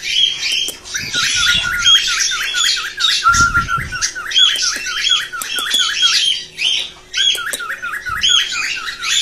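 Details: Cockatiels chatter busily, possibly in a mating context, with shrill squawks and a steady run of quick rising chirps about four per second; brief low bumps are heard now and then.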